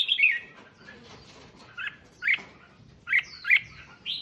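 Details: Red-whiskered bulbul song played to excite other bulbuls: a few scattered bright whistled notes, some sliding down, in short bursts separated by pauses, over faint background hiss.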